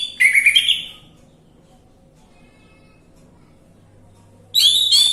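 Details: Orange-headed thrush song as a lure to get a bird singing: a rapid run of warbled, fluttering whistles, a long quiet gap with faint hum, then another loud warbled burst.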